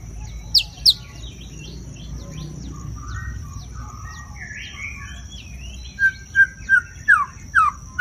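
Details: White-rumped shama singing loudly: two sharp whistles, then soft scattered warbling, then a rapid series of clear, falling whistled notes repeated about twice a second, with a steady faint high hiss throughout.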